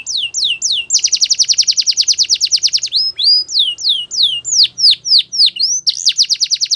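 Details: Canary singing: a few falling whistles lead into a long rapid rolling trill lasting about two seconds, followed by varied slurred, swooping whistled notes.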